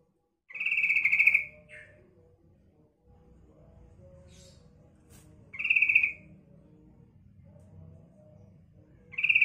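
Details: Female sooty-headed bulbul call used to attract wild males: three rapid pulsed chattering bursts, each about a second long, come roughly every four to five seconds over a low steady background hum.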